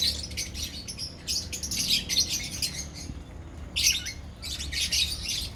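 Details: Several lovebirds in a colony squawk and chirp, harsh high notes in irregular bursts, with a louder rising call near the middle and a low hum behind.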